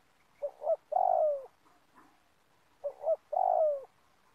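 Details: Spotted dove in an oil palm plantation, calling to lure others into a trap; two phrases, each a pair of brief notes and a sustained coo that slides downward.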